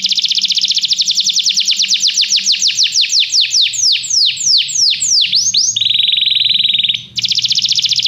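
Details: Canary song for training: a rapid high trill easing into slower, swooping downward notes, then a flat, quick buzzing roll, a brief break, and the fast trill again.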